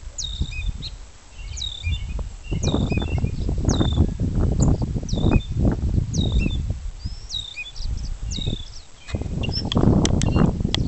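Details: Banded gray catbird practicing its song, mimicking other species; a long series of high squeaky upslurred phrases and chips about every second, over loud, irregular low rustling and thumping noise.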